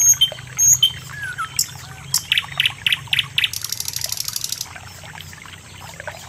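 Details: Sikatan londo, the common nightingale, delivers whistled notes, then a series of loud downslurred strokes, ending in a fast, even, high-pitched rattling trill that fades out. A low hum runs underneath.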